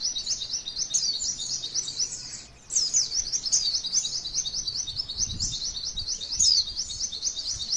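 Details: Female white-eye masteran song with a long 'cerrr' roll: dense, high, chattering trill, a short pause near the middle, then the rapid repeated notes continue with occasional brighter whistled slurs.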